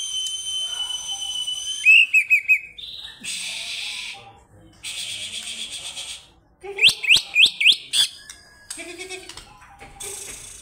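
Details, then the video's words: Greater green leafbird calling an opponent: a high steady whistled tone, then short chattery notes, bursts of hissy noise, and a run of five quick, sharply rising whistles, with a few scratchy notes near the end. "CUCAK IJO memanggil lawan"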